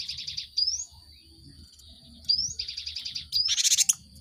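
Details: Cinereous tit, a lure recording to get caged birds singing. Rapid stuttering high notes, each run ending in a rising whistled slur, then a loud scratchy chatter at the end. A constant faint high whine sits in the background.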